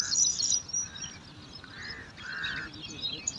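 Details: Five bar-winged prinia chicks at a nest in alang-alang grass, competing for food: a burst of shrill high twittering at first, then fainter thin chirps alongside a few lower buzzy hums.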